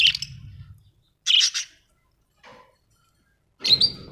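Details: Pet budgerigars at home giving short, harsh chirps separated by pauses of about a second, with a faint softer note between them and low background rumble at the start and end.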